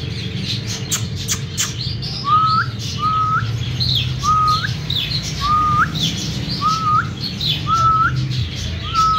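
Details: Breeding pair of cockatiels described as King cockatiels: a clean, short rising whistle with an upturned end repeated about once a second, seven times, over scattered high chirps and faint background noise.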